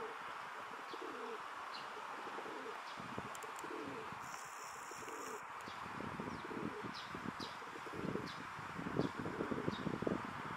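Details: Rock dove in a park where a male courts a female with puffed throat; soft, low purring coos come early, then rustling and scuffling close by, with thin high bird chirps scattered behind.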